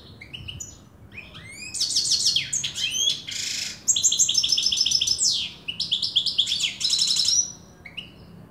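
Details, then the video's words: An Afghan European goldfinch sings a fast, high, tinkling stream of twitters and liquid trills, broken by buzzy, rasping notes, in bursts of a second or two. "بسیار خواندن زیبا سهره سایره"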